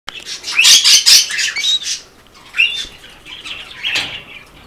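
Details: Pet rainbow lorikeet, caged male sharing with another rainbow lorikeet, greeting its owner and wanting attention: loud harsh screeching bursts packed in the first two seconds, then shorter buzzy squawks and a thin whistled note spaced over the rest.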